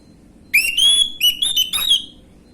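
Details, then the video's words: Orange-headed thrush, an untrained bird, singing in the gamblingan style as a lure to make other thrushes respond quickly; loud, clear whistled phrases, a rising slurred note then several sharp stuttered whistles, over a quiet background. "PANCINGAN ANIS MERAH BAHAN/GAMBLINGAN | Gak Pake Lama Langsung Ngrespon Bunyi"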